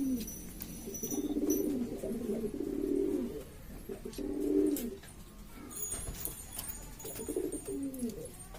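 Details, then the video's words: Noisy domestic pigeons from East Lombok, Indonesia, cooing in long rolling phrases that swell and fade, pausing then resuming, with scattered taps and faint high-pitched noise. "burung merpati ini ribut sendiri"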